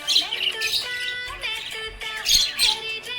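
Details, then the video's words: Happy pet budgerigar chirping: bright, scratchy high chirps and short squawky bursts come in quick clusters, mixed with warbling tonal notes, while steady music-like tones run underneath. "Happy budgie chirping sound"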